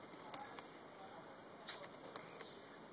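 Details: Blue-winged minla in Gaoligongshan National Nature Reserve, Tengchong, China, gives two short bursts of thin, very high notes a second apart against a faint hiss.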